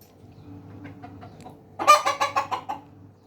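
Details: Hens and roosters, domestic chickens: a quiet stretch with a low hum and a few soft clucks, then a sudden loud burst of about six rapid, raspy clucks that fade one after another.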